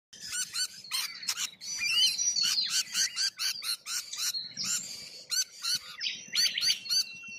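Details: Wild rainbow lorikeets in Australia: dense, shrill, screechy chattering from several birds, harsh overlapping squeals and rapid clicking notes almost without pause, with a faint low rumble underneath.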